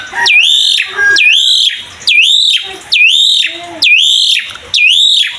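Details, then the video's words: Mompa-style song of an Asian pied starling, used to stimulate young birds to sing: six strong whistled phrases, each swooping down then rising and holding, about one per second, with faint softer chirps between them. "PANCINGAN JALAK SUREN GACOR MOMPA FULL MATERI MEWAH UNTUK JALAK MUDA"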